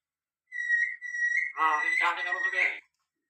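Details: Common hill myna imitating human speech, saying "Allah": a steady high whistle held for about a second, then a husky, voice-like two-part utterance of nearly two seconds over a continuing thin whistle.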